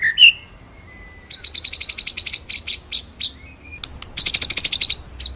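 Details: White-rumped shama master song for training birds: a short whistle, then a run of high sharp chips, brief pause, and a fast very high rolling trill.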